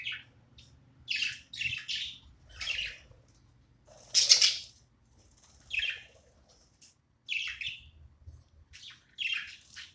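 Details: Pet budgie during playtime giving separate short raspy chirps roughly every second, one louder harsh squawk midway, with quiet gaps between calls indoors.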